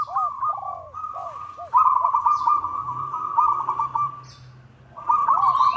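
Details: Local zebra dove calling out to a rival, used as a lure: long buzzy stuttering trills broken by pauses, with a second dove giving soft lower arched coos beneath. Brief high chirps of other birds appear.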